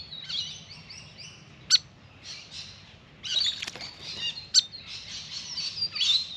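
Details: Grey fantail at a birdbath: bursts of high, thin, rapid squeaky twittering, a few sharp snapping chips, and a short quiet gap before a louder, busier second half.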